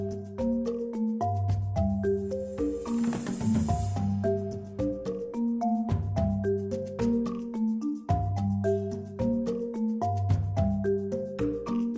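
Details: Mallet percussion music, marimba-like notes in repeating patterns with low sustained tones, and no animal voice heard.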